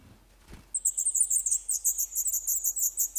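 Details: A soft thump, then black redstart nestlings in an old furnace pipe nest in Poland, eleven days old, burst into a dense, continuous chorus of very high, scratchy begging notes, rapidly pulsed.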